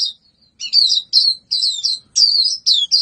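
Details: White-eye singing energetically: short bursts of high, sweet warbled phrases, each under half a second, tumbling up and down and separated by brief pauses.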